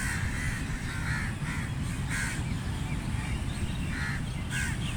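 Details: Crow caws heard during feeding, rasping calls in irregular clusters of two or three, set against a continuous low droning hum.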